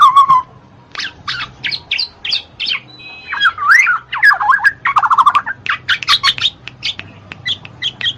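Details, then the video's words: Black-naped oriole (kepodang mas), played to stimulate reluctant birds to sing. It starts with a low fluty slur, then gives a busy run of short sharp chirps. In the middle come rolling, liquid warbled whistles, and quick repeated notes close the phrase. "TERAPI BUAT MANCING BURUNG MALAS BUNYI,SUARA KEPODANG MAS"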